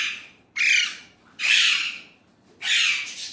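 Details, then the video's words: Indian ringneck parrot speaking Urdu/Hindi in three separate loud, hoarse, drawn-out syllables, each about half a second long, spaced roughly a second apart, each fading gradually. "Indian ringneck parrot amazing talking parrot Mitthu || alexandrine parrot voice talking Urdu/Hindi"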